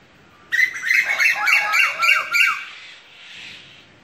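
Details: Asian koel bursting into a shrill, ringing chatter of quick repeated notes, roughly three per second for two seconds, then stopping abruptly, leaving only a soft hiss.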